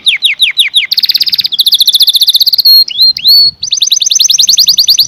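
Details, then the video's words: Canary singing: a run of fast downslurred whistles, then a rapid buzzy trill, clear rising notes and another quick rolling trill of repeated chirps, loud and close. "The most Beautiful Sound Of Canary - Canary Singing"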